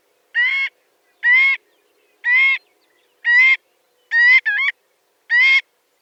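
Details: Loud, clean nasal honks from a marbled godwit, a large shorebird, repeated about once a second, six calls in all, one of them quickly doubled, with silence between.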